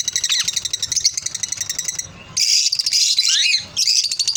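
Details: Lovebirds chatter in rapid, buzzy, high-pitched pulses, broken by a short pause, then a dense burst of squeaky calls with one descending whistled note before the pulsing chatter resumes.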